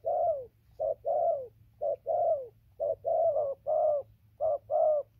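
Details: Spotted dove cooing steadily on 15/11/2020: soft, low notes with slightly falling endings, grouped in short pairs and runs, over a light background hum.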